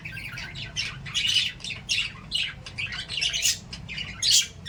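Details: Lovebirds chirping and playing, in rapid, harsh, high-pitched squawks and chatter.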